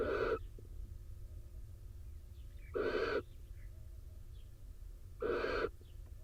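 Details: Israeli barn owl nest box, rain-soaked male arriving to the female on her eggs: three rasping, broadband hissed screeches, each under half a second, repeating about every two and a half seconds over low background rumble.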